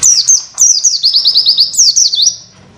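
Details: Oriental white-eye tutor song in witwit style for other birds to learn: bright falling whistles, then a quick run of rising chirps and a final twisting high note, fading into quiet hum.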